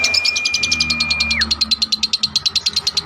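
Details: Long ngekek trill from a lovebird, used to tutor other birds: fast, even bursts of shrill chatter, roughly ten per second, with a flat thin whistle at the start that drops away midway.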